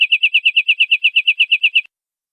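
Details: European greenfinch 'larguero' song used to tutor greenfinches: a brief, rapid trill of evenly repeated chirps on one pitch lasting under two seconds, then silence.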